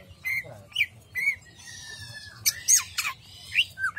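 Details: Greater green leafbird singing in the jamstrok style: a quick mix of short clear whistles, rising chirps and harsh buzzy notes, some sliding sharply downward, with a faint low hum underneath.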